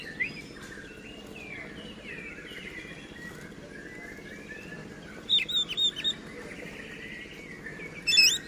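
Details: Oriental magpie-robin in full, vigorous song: long high whistled phrases sliding and wavering, then bursts of sharp rapid chipping notes near the end, over a low steady background hum.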